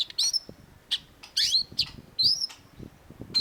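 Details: Master recording of a long-tailed shrike, called cendet, for cage-bird training: shrill rising whistled notes alternate with sharp squeaky chips in quick, uneven succession, with faint low noise underneath.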